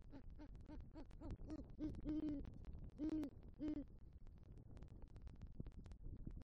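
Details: Great horned owl hooting at the nest as the male arrives with rodent prey and calls for the female, Southwest Florida, 3 November 2023: quick low hoots speeding up, then three longer, stronger hoots, with clicking noises throughout.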